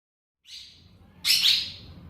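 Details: A baby rose-ringed (ringneck) parakeet calling: a soft, hissing rasp followed by a louder, longer harsh, scratchy squawk, both high-pitched and noisy.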